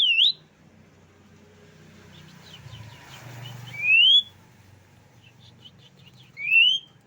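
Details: Tame, chatty Asian pied starling giving three loud, clear whistles that rise sharply in pitch, spaced a few seconds apart, over faint low background hum.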